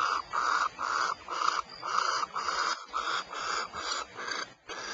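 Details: Barn owls at Starr Ranch, California: a run of about ten gravelly, snore-like hisses, some merging together, with a short pause near the end.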